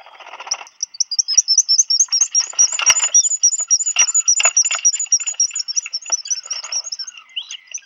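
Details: Black guillemots at a burrow on Seal Island National Wildlife Refuge, Maine, USA, 27 June 2020, as a mate arrives with food for a chick while the other broods: rapid high whistled twittering notes with lower buzzy, scratchy sounds and rustling.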